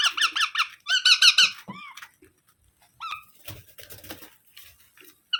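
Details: Young parrot chattering in two fast bursts of harsh, pulsing notes, followed by scattered squeaks and shuffling, knocking noises.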